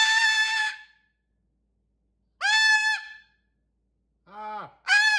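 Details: Pet cockatoo mimicking a dog's bark, loud and nasal, three harsh honking calls with long gaps, the third lower and shorter, followed by a fourth high call.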